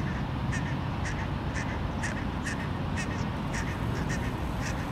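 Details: Barnacle geese (Branta leucopsis) grazing in an urban park in Helsinki, Finland, in May 2013, reacting to a person passing with a dog, give short yapping barks, several a second from different birds, over a steady low rumble.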